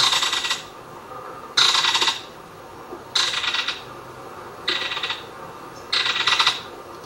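Belted Kingfisher giving five dry, harsh rattles, each about half a second long and spaced roughly a second and a half apart.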